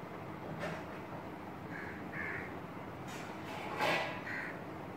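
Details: Female Asian koel perched close up on a curry leaf tree branch beside a window, giving a few short, harsh calls spaced about half a second to two seconds apart over a steady, loud background rumble.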